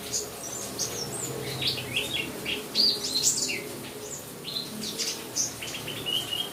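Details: Kept white-eye of the Buxtomi type chirping over played rain sounds used to stimulate singing: clusters of sharp, very high tweets and brief rising notes, irregularly spaced, above a constant rushing rain background.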